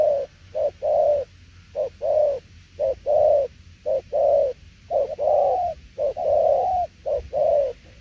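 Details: Spotted dove cooing 'đồng tiểu liên nước', with pairs of brief and held hollow notes, some sliding slightly upward, repeated at an even pace with quiet gaps.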